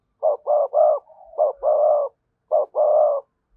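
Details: Spotted dove cooing, used as a lure to provoke wild doves: a run of short, mellow hooting notes, then a longer drawn coo, a pause and one more short-long pair, in a clean recording.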